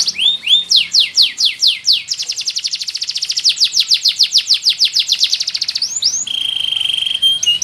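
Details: Male Abyssinian yellow canary singing: high rising whistled notes give way to a long, fast, even buzzy trill, ending in a steady held whistle.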